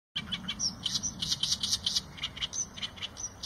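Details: Eurasian tree sparrow giving a busy run of short, bright chirps, several overlapping and repeated quickly, some higher thin notes mixed in, with a steady low rumble underneath.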